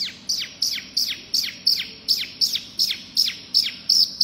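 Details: Pygmy cupwing repeating one sharp, high note that drops steeply, about three times per second in a steady, loud series.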